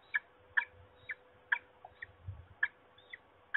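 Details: Distant peregrine falcon calling at Trzebież, Poland, on 26 March 2021: separate hoarse, clipped notes about once a second against a low rumbling background and faint hum.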